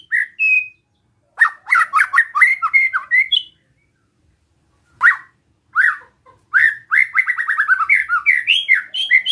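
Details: White-rumped shama, besetan song aimed at provoking rival shamas: bursts of quick upslurred whistled notes, a pause, isolated sharp notes, then a long fast rattle of repeated rising notes.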